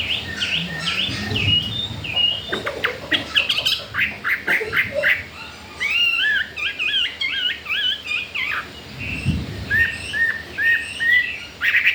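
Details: Caged Chinese hwamei, newly arrived four days ago and said to want to breed, sings strong varied whistled phrases that rise and fall sharply, with short pauses between bursts, over low room noise and a few rough squawks.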